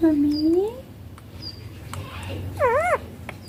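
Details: Green ringneck parakeet, a pet talking bird said to say papa and mummy: a long rising-falling harmonic utterance, then a quieter rising phrase and a wavy, warbling two-part word near the end over low room hum.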